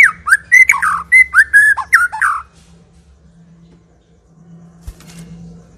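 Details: White-rumped shama song used as a lure to get silent shamas singing: a rapid burst of loud, varied whistles and harsh chattering notes lasting about two and a half seconds, followed by near silence over a faint low hum.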